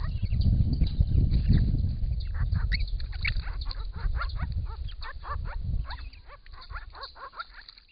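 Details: Group of six wild Grey-crowned Babblers at a pond in regional Victoria, Australia, during hot weather, caught by camera trap while drinking and bathing; rapid series of short, sharp notes calling to each other over loud low splashing and rumbling.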